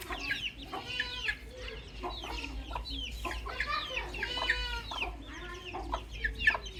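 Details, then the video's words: Baby chicken chicks calling in a group, a rapid, uneven run of short, sharp cheeps with stacked harmonic notes, roughly three calls a second, some louder bursts near the middle and end. "Nature Audio Featuring Cute Little Baby Chicks"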